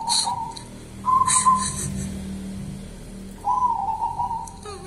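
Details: Local wild zebra dove of the 'kuntilanak' type, cooing in soft trilled phrases that hold a steady pitch, with pauses between the phrases and a few sharp clicks and knocks in the background.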